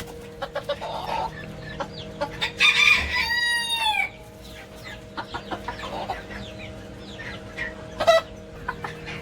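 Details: Young Ko Shamo bantam cockerel raised in a backyard coop, shown with aggressive male behaviour, lets out one hoarse crow with a falling, drawn-out tail, surrounded by scattered clucks and clicks and faint music underneath.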